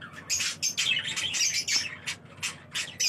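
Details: Pet budgerigars, or parakeets, giving dense, overlapping squeaky chirps and harsh squawks in quick succession throughout.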